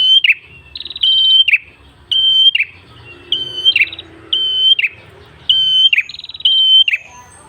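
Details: Rapid series of red-headed prenjak phrases in ngalun song for luring other birds: pure whistles alternating with rising buzzy notes and falling rasps, repeated steadily.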